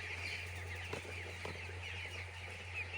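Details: Chicks on a poultry farm: a dense chorus of many high, short peeps overlapping continuously, with a few louder chirps standing out, all over a steady low mechanical hum.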